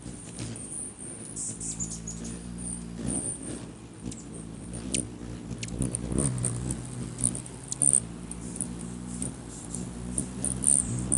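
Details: Rufous hummingbirds battling for a spot on a man's finger, 20 May 2020: a continuous low wing drone rises and falls, punctuated by frequent tiny high-pitched chips and clicks.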